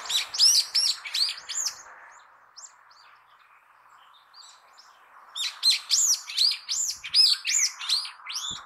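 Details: Brown-eared bulbul, a year-round resident, giving its everyday call: loud, shrill, squeaky notes in two fast bursts of about three seconds each, separated by a quiet pause.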